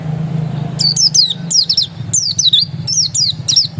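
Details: Pleci dakun, an Oriental white-eye said to be still original, delivers steady bursts of high, bright, downward-sweeping notes over a constant low rumble.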